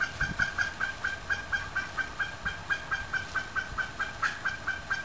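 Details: Bantam hens, a cross of Silver Duckwing Old English Game Bantam and Golden Sebright, with an old Blue Silkie rooster nearby: rapid, evenly repeated soft clucking notes, about two per second, over steady hiss.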